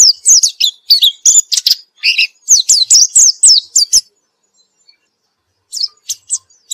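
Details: Energetic white-eye song recorded after therapy: about four seconds of fast, jumbled high chirps and downward slurs in quick succession, then silence, then a few scattered high notes resuming near the end.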